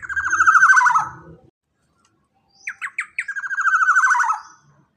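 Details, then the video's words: Black-naped oriole with a jumbo body and loud voice, used as a lure for training other birds: two harsh, buzzy, wavering phrases falling from about 2k to 1k pitch. The second opens with short sharp clicks. A silent gap separates them. "Pancingan Burung KEPODANG EMAS Body JUMBO BESAR Suara LANTANG"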